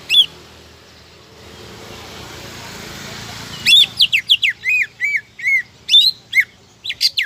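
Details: After several seconds of low background hiss, a greater green leafbird, played to draw rival birds into singing, bursts into rapid sharp whistles and arched chirps in an excited, varied run.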